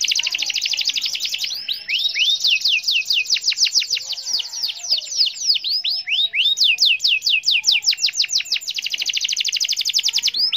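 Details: Canary in full song, played to get reluctant canaries singing: continuous fast trills and rapid repeated downswept notes, switching between rattling rolls and chopped chirps with barely a pause.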